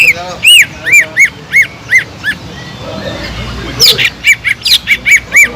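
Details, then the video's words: Cucak ijo (green leafbird), lively provoking song: loud arched whistled notes in a quick series, a short quieter gap, then a fresh burst of rapid whistles and high squeaks. "PANCINGAN CUCAK IJO GACOR INI SANGAT EFEKTIF BUAT CUCAK IJO KURANG EMOSI"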